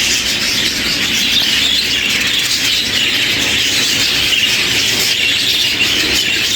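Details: A roomful of colour budgerigars in a large winter aviary in England holding about 400 birds, all chattering at once: a steady, high, scratchy warble of overlapping chirps and squeaks that never pauses.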